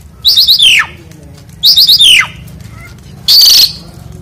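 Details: Jalak suren, the Asian pied starling, still singing loudly during its bath: three loud bursts of rattling, warbling notes, the first two sliding downward at the end, with steady low hum behind.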